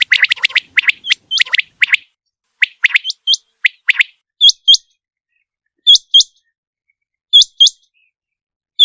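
A quail calling: a rapid scatter of short, high chirps, then sharp, upward-flicking whistles given in pairs every second or two, with nothing else audible.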